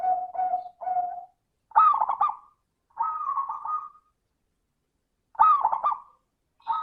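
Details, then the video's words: Zebra dove in 'crystal voice' style, singing to encourage other doves: it opens with three short, level cooing bursts. Bubbling phrases follow, each with a sharp stuttered start and a steady trilled ending. "Pancingan suara burung perkutut - suara kristal"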